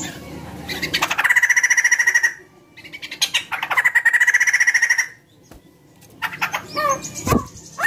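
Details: White-crested laughingthrush song used to draw other birds into singing, with two bursts of fast, evenly pulsed chatter about a second each, separated by a short pause, then varied squawky and downslurred notes.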